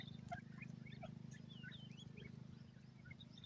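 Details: Grey francolin family, a female and chicks, playing happily in forest at early morning; brief high peeps and slurred chirping notes come in loose bursts, while a constant low mechanical hum runs underneath.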